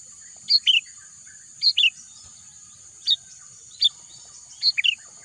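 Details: Chirping bird in a verdant natural setting: paired high notes dropping in pitch come in clusters every second or so, loud and clear over a constant faint high-pitched whine.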